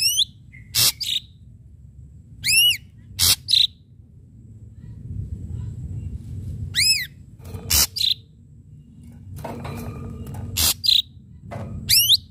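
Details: Lure-style sharp strikes from an ashy drongo: arched harmonic whistles and loud clicking snaps in spaced bursts, each followed by a short tonal note, with quiet rumbling between phrases.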